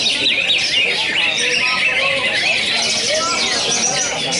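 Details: Perched greater green leafbird, locally cucak ijo dolar, firing nonstop 'tembakan' song bursts: a busy stream of sharp, high, twittering and whistled notes with quick up-and-down slides, a few softer lower warbles beneath, constant background noise.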